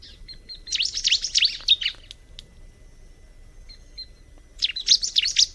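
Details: Bar-winged prinia, locally called ciblek, singing: a fast burst of high, sharp, slurred chirps for about a second, a pause with faint notes, then a second rapid burst, over low steady background noise.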